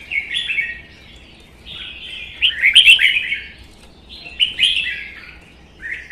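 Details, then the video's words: Caged red-whiskered bulbuls from Vietnam in a singing duel; a wild-caught bird kept one season, tail spread stiffly. Two bursts of bright, chattering warbled phrases, each about a second long, separated by quieter gaps. "CHÀO MÀO | Hót đấu"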